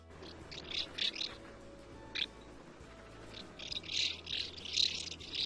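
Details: Common Swifts give their long in-flight cry, shrill, drawn-out, harsh screams in several bursts, with a faint steady hum underneath.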